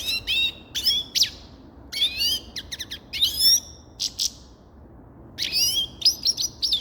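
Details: Grey-crowned goldfinch delivering several sprightly bursts of high chirps, liquid slurs and buzzy notes, with short gaps between phrases.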